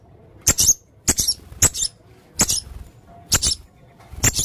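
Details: Male blue-crowned hanging parrot giving harsh, high squeaky double notes, each paired burst spaced about one second apart, loud and scratchy against a quiet background.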